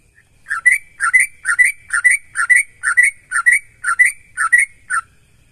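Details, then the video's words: Sooty-headed bulbul singing loudly, used to prompt other bulbuls to sing in reply: a bubbly two-note whistled phrase, a low note sliding up to a higher one, repeated steadily about twice per second, otherwise quiet. "Suara Burung Trucukan Gacor Untuk Mancing Trucukan Lain"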